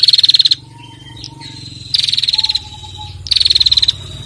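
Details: Bar-winged prinia female calling with a ngetirrr trill for use in training other birds: three quick, high, pulsing trill bursts spaced well apart, with quiet thin whistles in the gaps.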